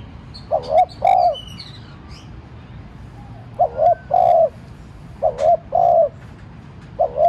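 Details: Spotted dove used as a decoy, cooing to provoke other doves to call: three-part phrases of two short low coos then a longer drawn-out coo, repeated every two seconds or so, with faint higher bird chirps.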